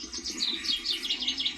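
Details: A Common Chaffinch singing in central or southern Spain in spring gives a quick, bright series of high chipping notes, several a second and slightly descending, over a faint low background hum.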